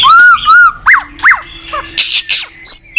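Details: White-rumped shama (murai batu) in a cage, singing to train other shamas: two clear slurred whistles, then steep downswept notes and harsh high bursts.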